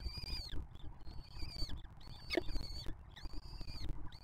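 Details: Nest-box peregrine falcons at the Museo de América, a juvenile from 2023 feeding younger siblings; long, thin, piercing whines, about three in four seconds, each tailing off, over rumbling background noise.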